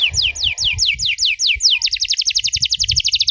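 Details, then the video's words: Long-running canary song with fancy variations for young birds to learn from: steady repeated downward-slurred whistles that speed up into a fast, even trill of sharp notes, with faint low rumbling behind. "KENARI GACOR DORR NEMBAK PANJANG, CENGKOK MEWAH COCOK BUAT KENARI MUDA BELAJAR BUNYI"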